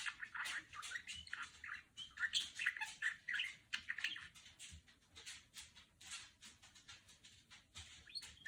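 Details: Female budgerigar kept as a pet, chattering in imitation of the Star Wars droid R2-D2: fast warbled chirps, bleeps and squawky notes tumbling together for about eight seconds, loudest near the middle and fading to softer clicks.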